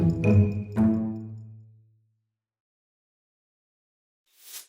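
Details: Two low, ringing musical notes fade away, then silence and a brief soft hiss of noise; no animal voice is heard.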